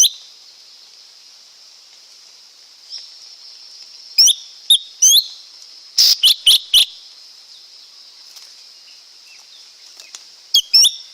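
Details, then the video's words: Lesser green leafbird singing a series of bright, sharply slurred whistled notes, grouped in twos and a rapid burst of four, with pauses between, over a constant high background hiss. "เสียงนกเขียวก้านตองเล็ก Lesser Green Leafbird Sound"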